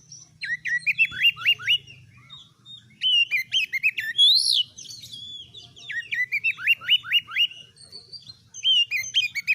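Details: Oriental magpie-robin, a caged songbird used to train others' nerve, sings runs of rapid upslurred whistles, a loud peaked whistle in the middle, and further repeated slurred series, over a faint low hum.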